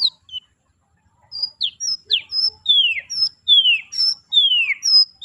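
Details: White-rumped shama (murai batu, Medan type) singing vigorously: a varied run of clear whistled notes, high short tones alternating with long downslurred sweeping whistles, phrases following each other about once a second after a brief pause.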